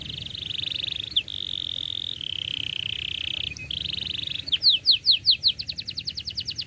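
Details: Canary singing to train young birds: long held buzzy trills at steady pitch, shifting level twice, then a fast series of sharp descending chirps repeated about three times a second, low hum underneath.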